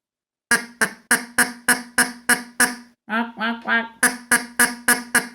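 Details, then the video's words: Duck, called the king of the noisy ones and easy to hear, played back for children: a rapid run of loud, harsh nasal quacks about three per second, broken briefly by a drawn-out, more tonal gabble before the quacking resumes. "tenim el nostre estimadíssim ànec, que aquest és el rei dels escandalosos."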